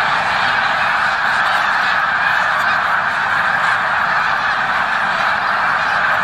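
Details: At Victoriaville in November 2018, snow geese on migration keep up a constant, rough honking clamour, with many birds calling at once in a dense, even chorus.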